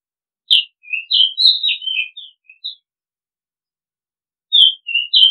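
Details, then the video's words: Oriental magpie-robin singing: a phrase of clear whistled notes, alternating high and lower slurred tones. A pause follows, then another whistled phrase begins. The background is silent. "Oriental Magpie Robin Sound Long play เสียงร้อง นกกางเขนบ้าน"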